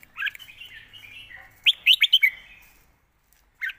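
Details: Red-whiskered bulbul singing a 'master song' passage: a soft warbling lead-in, then four fast, punchy whistled notes and a lone bright chirp after a short pause.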